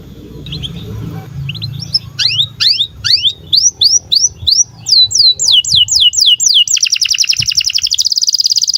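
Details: Canary singing in a calm natural setting: upward-sweeping whistled notes at a fairly steady pace, speeding into a rapid high trill near the end, over a low background rumble.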